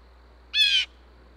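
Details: Harsh, nasal squawk of about a third of a second from a blue jay calling other blue jays to food at a Minnesota, USA bird feeder; no other clear sounds.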